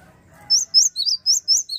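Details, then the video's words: A Java sparrow gives quick, high chirping notes, about four a second, bright and slightly rising, after a brief low rumble. "SUARA AMPUH GELATIK GACOR bikin Emosi burung lawan"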